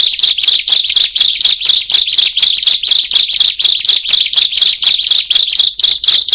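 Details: Bar-winged prinia giving a forceful luring song: shrill, bright chips repeated very regularly, around two per second, each short and clipped, recorded close and clean.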